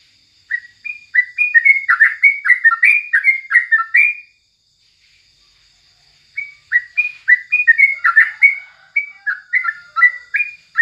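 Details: Yellow-vented bulbul (crucukan) singing in the morning, used as a tutor recording: bubbly, chirping phrases around a mid-high pitch for four seconds, a pause, then another rapid run. A steady high whine persists behind the bird.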